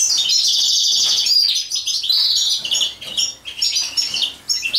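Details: A European goldfinch sings during mating, pouring out rapid high twitters and trilled phrases, bright and slightly buzzy, sung in quick bursts with short pauses.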